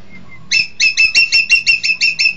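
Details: Green magpie, known locally as engkek keling: a rapid run of about nine loud, ringing notes, evenly spaced roughly four per second, each with two bright stacked tones, after a soft thin whistle.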